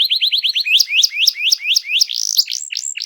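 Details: Canary delivering intense song to coax silent birds into singing: quick rising whistled notes repeated in a steady series, then a brief fast trill and falling sweeping notes.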